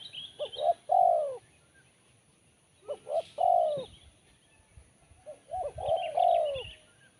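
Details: Spotted dove giving a sharp, crisp Kuk 1 style coo: a three-part phrase of two short rising notes and a longer falling coo, repeated three times about every 2.5 seconds, with faint chirps of another bird higher up.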